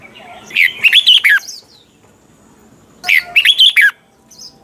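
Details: Red-whiskered bulbul singing a double-note song in the style of a mature wild bird, used as a tutor song for training caged bulbuls; two quick phrases of about five bright, warbled, slurred notes, separated by a pause of nearly two seconds.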